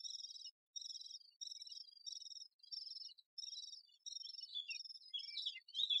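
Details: Great spotted woodpecker busy with its young: steady, high, buzzy chattering bursts about every half second, ending in sharper, more varied squeaky notes.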